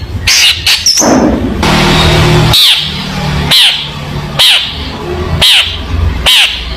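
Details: Long-tailed shrike, recorded as learning material for young shrikes: a brief high whistle and chatter, then harsh grating calls repeated about every second over a constant low hum.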